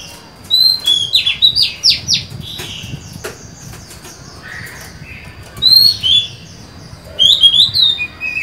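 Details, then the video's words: Female Oriental magpie-robin, a kept cage bird recorded 23 July 2020, singing to lure a male and stir its fighting spirit: scattered clear high whistles and short slurred notes, with quieter faint chirps between bursts. "Chòe than mái mới: 23/7/2020; hót hay, kích bổi máu chiến!"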